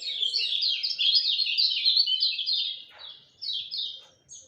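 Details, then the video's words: Lemon-bellied white-eye singing at dawn: a fast, continuous twittering warble of high, sliding notes, then a brief pause and two short closing bursts. "Kicau Joss Kecial Kuning Subuh"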